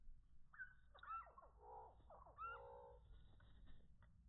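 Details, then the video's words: Chickadees being hand-fed on a walk in a conservation area, slowed down: short sliding whistled notes, then a run of buzzy, lowered notes, twice, over a faint low rumble. "Feeding chickadee birds."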